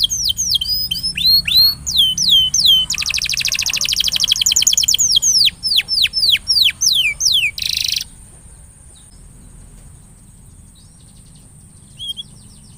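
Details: Canary song aimed at getting an idle canary to sing more: fast high whistled sweeps, a long buzzy trill, more crisp falling notes and a short rattle, then near silence with one faint note near the end.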